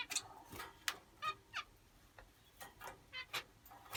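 Several finches give short, nasal, buzzy chirps that overlap irregularly, several times a second, with some sharper high notes mixed in.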